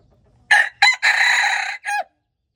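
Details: Loud crow of a red junglefowl, February 13, 2025: a short harsh burst, a second quick note, a long strained middle phrase and a short dropping end note, all within about one and a half seconds against silence.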